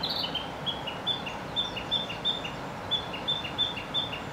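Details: Narcissus flycatcher in Gifu Prefecture, Japan, singing from a tree in May 2024: a rapid, repeated series of high whistled notes, each followed by a brief lower downslurred note, about three pairs per second, against steady low background noise.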